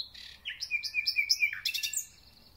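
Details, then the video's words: Thrush nightingale in full song marking the start of spring, a steady high whistled note with rapid pulses, ending in a sharp descending slur and buzzy bursts, clear and close. "Słownik Szary koncert na całego to znak że zaczęła się wiosna ."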